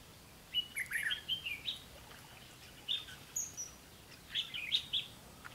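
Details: Red-whiskered bulbul recorded during a bird-trapping session: short bright chirped phrases at mid-high pitch, given in three loose clusters over a few seconds against a quiet, faintly hissing background.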